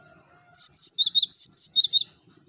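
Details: Eight clear, high whistled notes from a Cinereous tit, sung to lure flocking birds, alternating wavy and sharply dipping whistles in a brisk, even sequence, preceded by a faint low tone.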